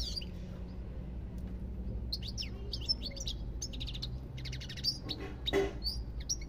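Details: European goldfinch giving bursts of quick high chirps and twittering slurred notes separated by short pauses, with a brief rasping buzz and a steady low background hum.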